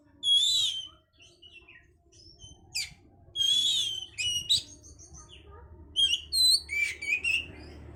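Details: Song of the oriental magpie-robin for stimulating breeding condition: a loud whistled burst, soft scattered chips, then buzzy harsh phrases and a run of clear looping whistles rising and falling; steady low hum behind.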